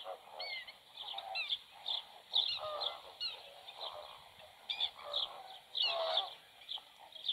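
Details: Black-winged stilt near a nest where two chicks have just hatched and one egg is left, the chicks already feeding alone; an irregular stream of short, sharp, nasal yapping notes with a few louder bursts.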